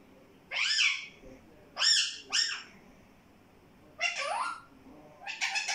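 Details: Talking parrot (tota) repeating "mittu": four raspy, harmonic utterances, each sliding downward in pitch, with a quick pair near the middle and a buzzier burst at the end, separated by quiet gaps.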